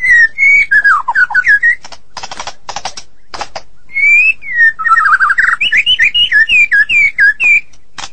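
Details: Medan white-rumped shama singing gacor style: wavering whistled phrases broken by buzzy rattling bursts, then a lively stretch of rising and falling whistles delivered in quick succession.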